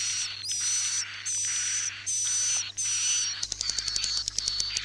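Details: Edible-nest swiftlet roosting-lure sound for swiftlet farming: four high, hissing chirps, each under a second, with a thin whistle inside, then a quick run of sharp ticking clicks.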